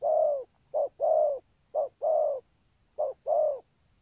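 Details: Spotted dove cooing in the thúc gù style: short-long paired coos, low and hollow, each pair repeated about once a second, with quiet pauses between.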